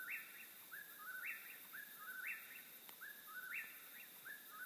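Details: Rhythmic whistled phrases of an Eastern whip-poor-will, around four repeats, each a low slur ending in an abrupt rising note, about one per second, with a faint click and steady hiss behind.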